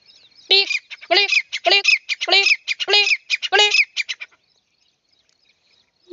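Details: Grey francolin giving a rapid series of harsh, squawking notes, rich in overtones, about ten bursts in just under four seconds, followed by quiet.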